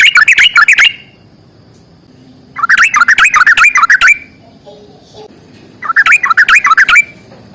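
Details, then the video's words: Sooty-headed bulbul in a vigorous fighting song with long trills. Three separate bursts of rapid, tumbling whistled chatter, each about a second long, with quiet gaps between them. "trucukan gacor tarung ROPEL PANJANG"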